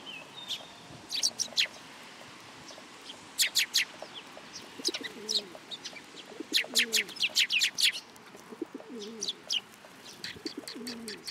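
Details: Sparrows crowding in for food at a Tenmangu shrine, 10 July 2022, with many sharp, quick chirps in busy runs, while a pigeon coos softly and repeatedly underneath.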